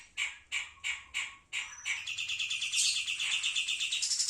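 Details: Pied triller singing: five sharp, high, evenly spaced notes about three per second, then a fast, continuous chattering trill that holds steady to the end.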